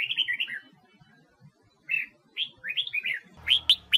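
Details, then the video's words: Red-whiskered bulbul from Huế, Vietnam, a wild-caught singer used in voice training: warbled chirping notes, a gap, then rising and falling slurred whistles, ending with sharp clicks and a mechanical rattle. "Tiếng Chim Chào Mào Huế Hót"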